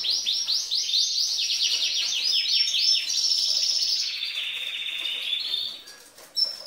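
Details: Female canary singing like a male to excite males: fast rolling trills of downward sweeps stepping lower in pitch, ending in a brief pause and a short high note.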